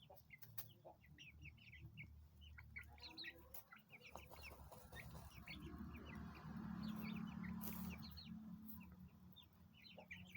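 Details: Peeping from nine chicks aged 20 days, brief high cheeps repeated about four times a second in loose bursts, over a constant low droning hum.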